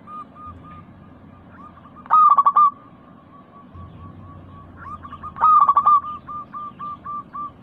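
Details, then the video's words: Local Indonesian zebra dove in a lure recording for prompting silent caged doves to sing, described as lively with a crystal voice: two bursts of loud staccato cooing notes, each followed by a run of softer evenly repeated coos. "Pancingan burung perkutut lokal gacor suara kristal paling ampuh."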